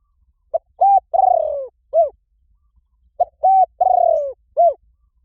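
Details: Spotted dove call meant to rouse sluggish decoy doves for luring: two full phrases about three seconds apart, each a clipped note, a flat coo, a long trembling coo sliding downward, then a short rounded note; no other sounds.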